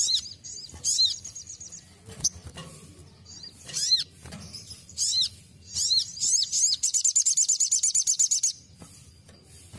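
Ruby-cheeked sunbird giving very high, thin chirps and sharp down-slurred notes in quick bursts, ending in a rapid ticking trill, with soft background noise.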